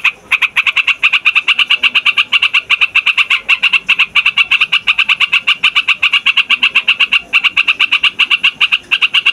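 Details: Yellow-vented bulbul (trucukan) singing loudly, rolling on and on, as a lure for wild birds: rapid, bright, repeated notes flowing almost continuously for nine seconds, with a few brief pauses.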